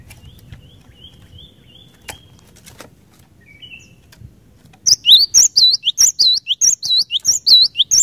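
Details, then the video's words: Cinereous tit bursting into a fast, loud series of looping whistled notes after several seconds of faint background chirps, sung to prompt other birds to answer. "Kicauan Glatik Batu Gacor Ini Cepat Bikin Glatik Batu Lain Bunyi Gacor"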